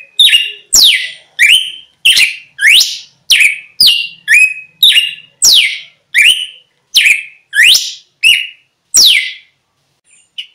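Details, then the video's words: Lure recording of a red-cowled cardinal singing: steady stream of loud, piercing swept notes, roughly one and a half per second, ending in a brief pause and faint trailing chips. "Galo De Campina Singing"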